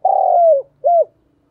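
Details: Spotted dove giving a lure call used to attract wild doves for trapping: a long, smooth, gently falling coo followed by a short arched coo note, clean with no other sounds.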